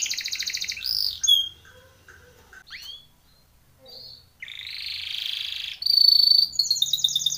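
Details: Timbrado canary training song with buzzy high trills and short whistles, broken by quiet gaps, then a long rolling buzz followed by a pure held whistle and rapid high notes.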